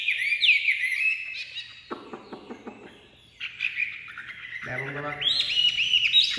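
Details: Caged Chinese hwamei, newly out of its carrying box, sings loud varied whistled phrases at the start and end, while a man talks over the middle of the song.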